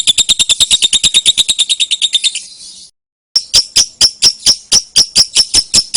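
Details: Lovebird giving ngekek long chatter for luring and tutoring songbirds: fast, buzzy, high-pitched pulses repeated about eight times a second, breaking off into a brief silence before resuming in a steady run.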